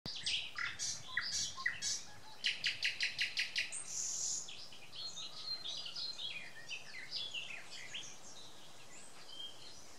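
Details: Birds singing on a May morning in 2020 in Samara Oblast, Russia: a dense chorus of high chirps and whistles, with a run of rapid repeated notes around the middle and quieter twittering afterwards.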